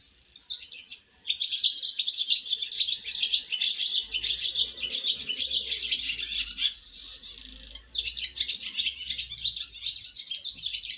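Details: Swallow fledglings making their first flight out of the nest chatter in a steady stream of high, scratchy twitters with two short gaps, while a low steady hum runs in the background from midway.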